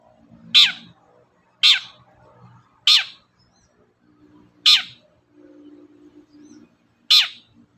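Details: Long-tailed shrike (cendet) provoking other birds to sing: five loud harsh downward-sweeping notes at irregular intervals, with a low murmuring hum and soft background sounds between them.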